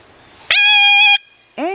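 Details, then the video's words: Five-year-old Yellow-collared macaw chiming in while its owner sings: a piercing, level, strongly harmonic cry held about two-thirds of a second, then silence and a woman's rising sung note. "Yellow Collared Miniature Macaw: Singing"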